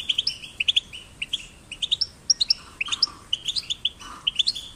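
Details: European goldfinch chicks, caged, heard as stimulation for singing: bright tinkling chirp clusters with buzzy little notes between, delivered in quick irregular groups.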